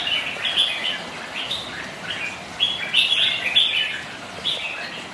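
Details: Rival red-whiskered bulbuls, kept birds, spar in song during rainy, windy weather; short lively whistled notes tumble out in irregular bursts, several voices overlapping over a soft background hiss.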